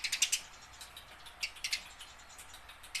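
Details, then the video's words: Tame house sparrow learning its song to draw out wild-caught birds; a fast run of harsh chirps opens, followed by a few softer chirps and a hiss-like background. "burung gereja jinak belajar bunyi"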